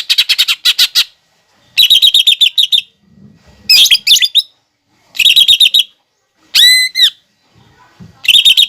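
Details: Masteran song of a lesser green leafbird full of imitated fighting sparrow, lovebird and hummingbird sounds: fast stuttering runs of high metallic chirps in bursts about a second long, plus one sweeping whistled note, with brief quiet gaps between.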